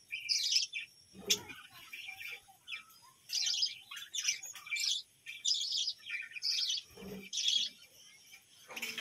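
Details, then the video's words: A colony of budgerigars kept on a village home bird farm chirping together: dense, overlapping bursts of high, scratchy warbled chirps follow one another almost without pause, broken by a couple of sharp knocking clicks. "বাজরিগার পাখির ডাক ও কিচিরমিচির গান"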